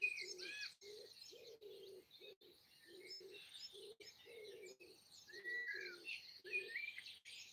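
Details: Wild birds singing in trees at the edge of a garden in Broadford, Kildare, Ireland, early on Easter Sunday morning 2020; varied high chirps and whistled phrases from several birds over steady low cooing repeated about every half second, like a pigeon or dove.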